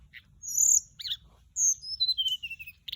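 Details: Hill blue flycatcher lure song, bright high whistles sliding downward, a sharp buzzy note, then a descending series of sweet whistled notes, over quiet low hum.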